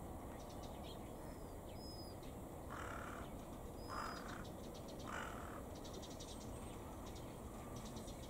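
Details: While toying with rubbish, a carrion crow gives three hoarse caws spaced roughly a second apart in the middle of the recording; high, thin squeaks of a Japanese waxwing sound in the background, with steady ambient noise.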